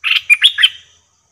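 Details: Bulbul at a trapping cage giving a short, liquid warble: a rough first note, then three bright, rising and falling chirps fading into a thin whistle, close and otherwise silent.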